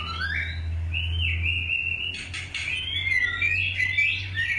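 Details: White-rumped shama of the long-tailed type, being paired for breeding, gives long sliding whistles that then break into quick varied chattering notes, while a loud low hum runs beneath.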